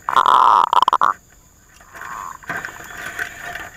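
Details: Zebra dove kept as a lure bird for trapping, calling back at rivals: a loud, rapid burst of stuttering, pulsed coos near one pitch for about a second. Then quieter, rougher calls follow over a hum.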